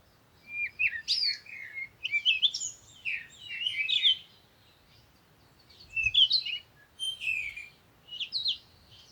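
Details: A bird sings lively phrases of jumbled high chirps, trills and squeaks, repeated in bursts every couple of seconds over a faint low rumble.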